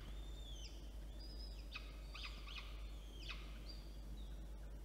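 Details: Peregrine falcon chicks fed by the female at Orange, NSW, on 9 October 2022 give drawn-out high whines and scratchy squeals in short bursts, against continuous low hum.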